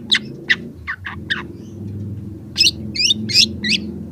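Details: Young long-tailed shrike singing hard, recorded for training and luring shrikes that sing little: a few spaced sharp chips, a short pause, then a cluster of harsher slurred, buzzy notes, over a steady low background hum.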